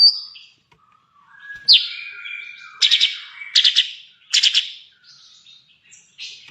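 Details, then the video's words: Sooty-headed bulbul in a long continuous song sequence: high sliding whistles and a falling slur, then three bursts of bright rattling notes about a second apart, ending in short whistles, no background noise. "TROTOL FUL MATERI CUCAK CUNGKOK"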